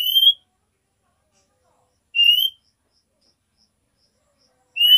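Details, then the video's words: Calls of a female oriental magpie-robin, the nyiul whistle used to summon the male and raise his breeding drive: three clear, rising whistles roughly two and a half seconds apart. "KACER BETINA NYIUL MEMANGGIL JANTAN"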